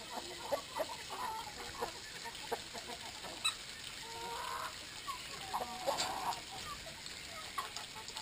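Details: Brahma chickens during drinking time giving short, clipped clucks with a few longer tonal calls, among occasional taps and clicks.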